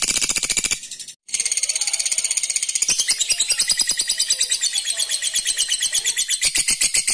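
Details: Long ngekek trill from a lovebird, used to goad rival birds into answering: a dense, high-pitched stuttering chatter running almost without pause for seven seconds, briefly cut near the start.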